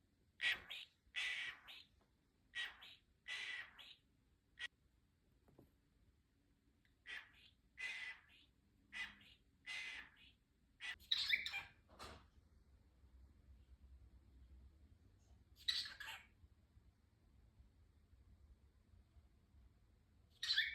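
A cockatiel gives harsh, breathy squawks in short bursts with irregular pauses.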